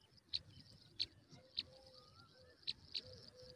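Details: Pipit chicks being fed by their mother at the nest give five short, sharp, high chirps, spaced unevenly over a few seconds, against a faint low rustle.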